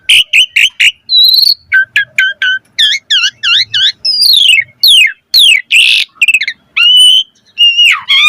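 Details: Asian pied starling in full, energetic song, a lure and tutor recording for caged birds: rapid bursts of sharp chattering notes, then rising and falling whistles and buzzy descending slurs packed closely over eight seconds.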